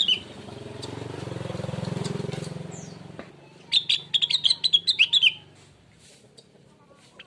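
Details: Blue-winged leafbird lure song for stirring other birds to sing: a passing engine rumbles through the first half, then a short burst of about ten quick, sharp, high chirps rings out before quiet.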